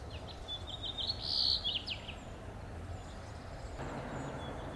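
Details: Male House Finch giving contact calls from a Monterey Pine in Del Monte Forest, California: a few short, high chirping notes, one louder cheep standing out, over a steady hiss of background noise.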